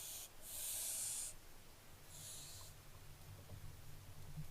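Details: Barn owlets recorded 15 July 2024. One strong drawn-out hiss lasting nearly a second is followed by a weaker, shorter hiss, then low background noise with faint soft sounds.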